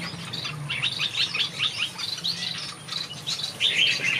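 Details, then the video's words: Finches singing in a backyard aviary: dense, quick high chirps and twittering phrases that overlap almost continuously, with a low steady hum underneath. "Watch these finches sing a beautiful melody in my backyard"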